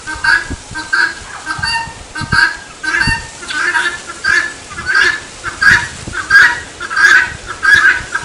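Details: Helmeted guineafowl giving its "tô fraco" call: harsh, grating two-part cries repeated steadily about one and a half times per second, each burst rasping and nasal, with faint background rustle.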